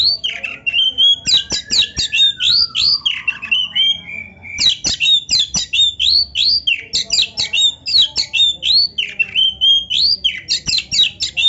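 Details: Oriental magpie-robin gacor with full isian narung, flaring its tail: a continuous, loud torrent of high, slurred whistles, sweeping up and down and packed tightly together, with a softer descending note early on.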